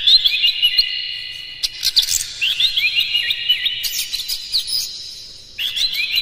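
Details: Oriental magpie-robin delivering lively song with imitated fill phrases, used to stir other magpie-robins; rapid repeated chirps and slurred whistles over a continuous high ringing tone, with a short pause near the end.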